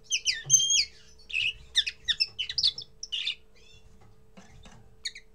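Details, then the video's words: A common linnet's first song, a quick, jumbled twittering of bright chirps, trills and nasal notes, with a faint low hum behind. "Первое пение коноплянки"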